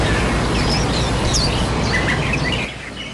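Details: Wild white-eye caring for its young until they can fly: several short high chirps and thin squeaky notes in quick, irregular succession over steady background noise, ending in a quieter stretch.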